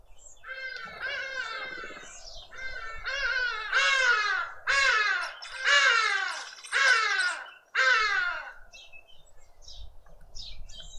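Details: Karoo thrushes at a suburban garden feeder in Pretoria, South Africa, giving harsh, squawky, downslurred calls about once a second, some overlapping as several call; faint low rumble.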